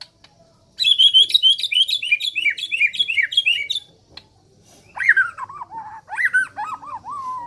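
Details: Neglected white-rumped shama from Borneo, voice said to be strange: rapid high chattering run of repeated notes, then a pause and lower descending slurred whistles in a series.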